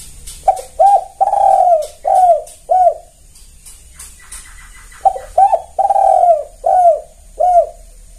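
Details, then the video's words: Spotted dove lure call used to draw in and trap wild doves, a loud, clear kuk-style stuttering cooing: two bursts of five hoarse, low coos, each bending downward, separated by a short pause with faint chirps. "Suara pancingan tekukur kuk2 gacor"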